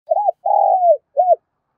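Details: Spotted dove used as a decoy bird to call and train wild doves, giving a three-part cooing phrase: a short rising-falling hoot, a long level coo sliding downward, then a brief arched final coo.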